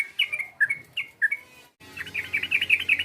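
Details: Yellow-vented bulbul call meant to provoke a rival: a few separate whistled notes, a brief pause, then a fast, busy chattering burst.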